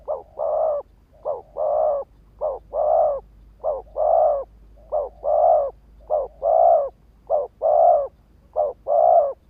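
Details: Spotted dove cooing to lure and trigger males: low hollow coos in pairs, a short note then a longer one, repeated steadily about every second and a half.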